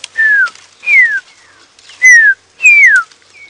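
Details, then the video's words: A drongo gives four clear, falling whistles, about one a second, mimicking a pearl-spotted owlet at dusk in winter, 4 August 2016, Djuma Game Reserve. The observer thinks drongos do this to keep territories empty and deter other birds. "that's a drongo pretending to be a pearl spotted owl I think they do that to keep their territories empty"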